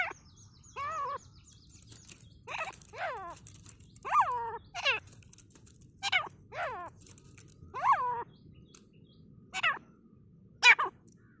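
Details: Grey francolin in a forest giving loud, harsh calls that drop in pitch, about ten in eleven seconds at an uneven pace, over a low steady hum, during aggression in a fight.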